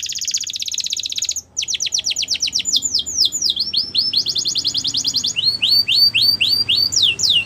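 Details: Canary singing a high rolling trill, a brief break, then fast repeated notes, downswept whistles, another trill and a series of rising arched whistles.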